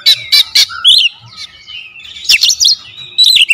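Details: Lure recording of a magpie-robin, 'tembakan rapat' dense song: loud clicky bursts and short rising whistles, broken by a quieter stretch of soft notes and faint low thumps before more sharp bursts return.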